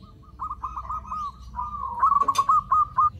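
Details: Lure call of a zebra dove used to attract others of its kind: a long, continuous string of quick, vibrating coo notes at an even pitch, growing louder toward the end, with a short click midway.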